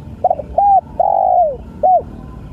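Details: Spotted dove giving a short cooing phrase: two brief soft hoots, a longer coo sliding downward, then a final short hoot.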